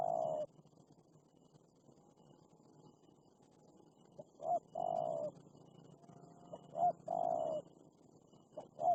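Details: Wild spotted dove, described as very fierce, calling back at a pet decoy dove: repeated cooing phrases of short rising notes and longer throbbing coos, spaced a few seconds apart over low background hum.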